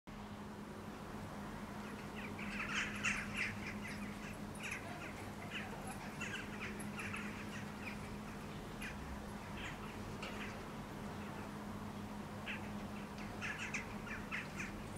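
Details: A flock of Eurasian jackdaws gathering on a rooftop before flying to their nightly roost, Helsinki, Finland, July 2013, trades short, sharp 'chak' calls in quick overlapping bursts over a steady low mechanical hum.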